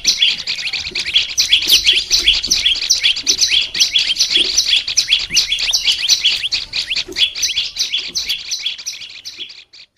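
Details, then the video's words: Olive-backed tailorbird, a small green-headed bird kept as a pet, in song-training material: continuous fast, high, sharp chirping and trills that soften slightly toward the end, then silence. "Melatih suara burung prenjak lumut biar gacor"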